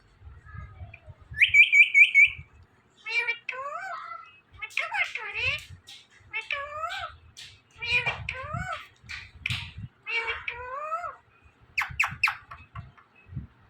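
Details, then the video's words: Talking Indian ringneck parakeet in a small room giving a steady series of wavering, meow-like harmonic calls and brief chattered syllables, several per second at times, with a short high trill early on and faint low knocks underneath. "Indian Ringneck Parrot Talking Videos"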